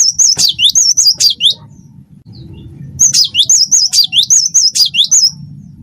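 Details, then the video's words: Wingko-type cinereous tit in lively song, recorded as a tutor track to prompt other birds to sing. Two long bouts of quickly repeated high whistled notes, each with a falling-then-rising twist, are broken by a brief pause over a faint low hum. "gelatik batu wingko gacor"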